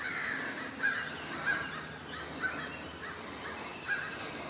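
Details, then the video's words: Crows caw harshly and repeatedly, several birds overlapping in an irregular hoarse chorus about every half second, while mobbing a great horned owl in a forest, flying close to it; the owl was likely there to rob a nest. "A great horned owl mobbed by crows"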